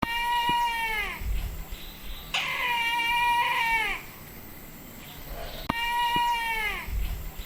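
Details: A Brahminy kite, a resident species, at Indawgyi Wildlife Sanctuary, Kachin State, Myanmar, gives three drawn-out, nasal, wailing mews, each about a second long and sagging at the end, with low background rumble between calls.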